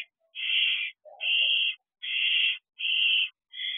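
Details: Barn owls in an outdoor nest box at 10:20 pm on 2 June 2023 as food is delivered; loud harsh hissing screeches, each about half a second long, repeated roughly every 0.7 seconds, five in a row.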